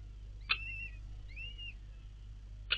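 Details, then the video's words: Begging from four freshly hatched kestrel chicks fed by their mother in the nest, 4 May 2022: short, arched high whistles, slightly falling at the end, between two sharp clicks, with low background hum. "4 Babys geschlüpft & Mama füttert - Turmfalken"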